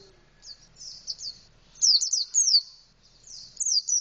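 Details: Indonesian white-eye singing in a canary-like style with a fully open beak: bursts of high, thin chirps and quick descending slurred notes, given in short clustered phrases separated by brief pauses.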